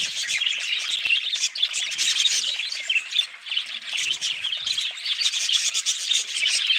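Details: Constant chattering of budgerigars, a thick stream of high, rapid chirps, squeaky notes and soft warbling from many birds calling over one another.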